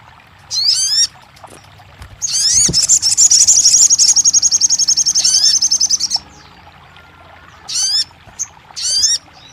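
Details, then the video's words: Crested jay, used to prompt a silent bird to start singing: a few high, downward-slurred notes, then a rapid metallic rattle lasting about four seconds, followed by more short swept notes. "TERAPI RAJANYA SOGON MACET BUNYI"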